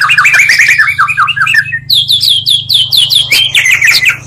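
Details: Oriental magpie-robin song used as a lure to provoke other magpie-robins, combining two songs: rapid varied whistled and chattering phrases, a dense run of notes then a series of loud rising whistles, with a steady low hum underneath.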